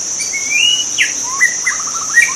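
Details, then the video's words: White-rumped shama singing wild in its habitat: a long rising whistle, a sharp downward swoop, then a rapid even trill of short notes, over a persistent insect whine. "kicau murai batu di alam liar"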